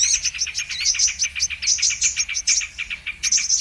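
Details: Brown-throated sunbird (kolibri manggar or kolibri kelapa), a lure recording used for trapping birds: rapid, high, sharp twittering notes in dense unbroken bursts, with a short pause near the end before the chatter resumes.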